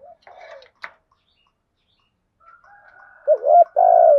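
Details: Decoy spotted dove calling to draw in wild doves: soft scattered notes and faint clicks first, then one strong coo phrase, a dipping short note and a long sustained low coo at the close.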